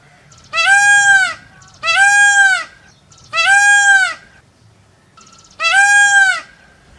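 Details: A peacock gives four loud, nasal, wailing calls, each under a second long and evenly spaced about every two seconds, over a faint low background hum.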